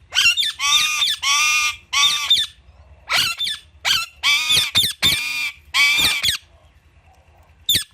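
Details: Alexandrine parakeet with Indian ringneck parrots while playing among palm tree fronds; loud raw screams in long rasping bursts, about ten in eight seconds, some drawn out, some clipped, ending after a brief pause with one last sharp squawk.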